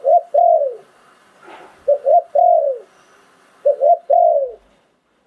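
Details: Spotted dove kept as a ground decoy, singing in the สายโผน หลิ่วตัน style (2022): three deep phrases roughly every 1.8 seconds, each a brisk doubled note followed by a long coo that sinks at the end; soft hiss between.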